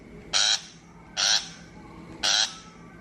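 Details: Three loud, scratchy shrike notes, about one per second, from 2023 lure audio meant for a bird-trapping speaker. Faint hum between the notes.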